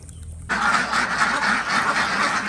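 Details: Desi ducks on a village farm in Andhra Pradesh, heard during morning egg collection; after a brief quiet start, a dense chorus of harsh, overlapping quacks rises abruptly and continues steadily from many birds at once.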